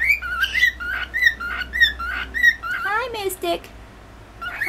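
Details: Male cockatiel (born July 2015) whistling a bright, warbling phrase of repeated notes, about two per second, with a brief rising-and-falling trill near the end, while flirting indoors with a new female (born August 3, 2015); the female stays silent; room hum beneath.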